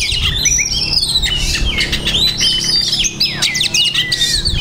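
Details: Oriental magpie-robin (kacer) pouring out imitated phrases (masteran): high ringing whistles, squeaky slurs and fast twittering, one short gap near the end, with a low background hum.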